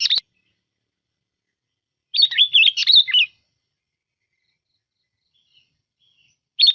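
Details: Sooty-headed bulbul used as a lure bird, giving a rapid, tumbling phrase of liquid whistles, a long pause, and the start of another phrase, with a click at the beginning.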